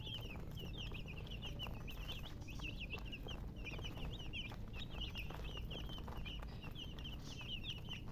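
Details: Baby chicks chirping: continuous high, thin peeps rising and falling in quick succession from several chicks, over a steady low rumbling background noise.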